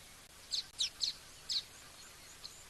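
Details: A starling at an African bush waterhole on 3 March 2024 gives short, squeaky high chirps, about five notes in under three seconds, some in quick pairs, over soft outdoor hiss; it is near rocks at a favourite drinking spot, under cloudy skies.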